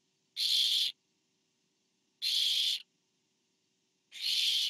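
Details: Barn owl (Tyto alba) at a nest cam on 24 September 2015 as a parent delivers food, probably to the fourth owlet: harsh, breathy hisses about half a second long, repeated roughly every two seconds with silence between.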